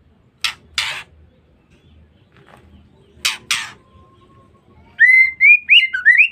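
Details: Female white-rumped shama used to provoke males: two pairs of dry harsh rasping notes separated by silence, then a fast series of bright, slurred whistled notes climbing and dipping.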